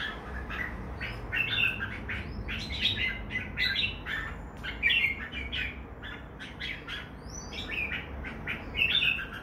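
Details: Red-whiskered bulbul, two birds present, giving bright chirping phrases of short whistled notes around the upper-middle register, tightly repeated in bursts with a few sharper squeaky accents, over steady low background hum.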